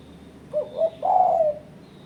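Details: Spotted dove call used as a bird-trapping lure to challenge and press rivals: two short low hoots followed by a longer, drawn-out mellow coo, one phrase in a quiet setting.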